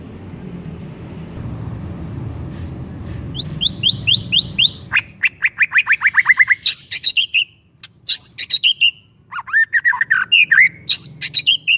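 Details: White-rumped shama lure song to set another shama singing: a quiet start with low rumble, then rapid series of repeated downslurred whistles giving way to looping, varied phrases.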